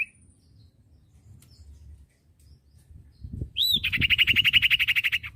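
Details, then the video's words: Common iora delivering a long, loud, rapid trill of buzzy whistled notes at a steady pitch, preceded by a few low knocks and thumps; recorded to tutor untrained birds. "masteran burung cipoh bahan II masteran cipoh sirtu bahan"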